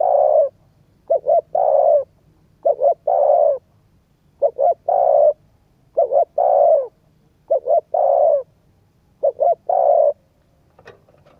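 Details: Cooing spotted dove intended to stimulate a decoy bird, phrases of quick paired coos and one long coo repeated around every 1.5 seconds, a faint click near the end.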